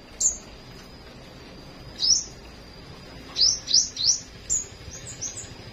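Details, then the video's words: Morning song of a flowerpecker: thin, very high upslurred chirps, some single and some in quick runs of three, separated by short pauses over a quiet background. "Chim Sâu Hót"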